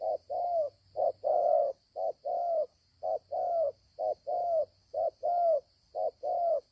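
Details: Wild spotted dove cooing steadily, each phrase a clipped note then a drawn-out mellow coo, about one phrase per second, with a constant thin high-pitched hum in the background.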